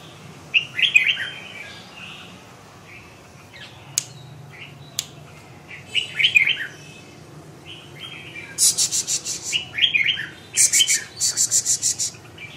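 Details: Red-whiskered bulbul repeating short, bright warbled phrases every second or two, with sharp clicks. From about eight seconds on, rapid rattling bursts come between the phrases.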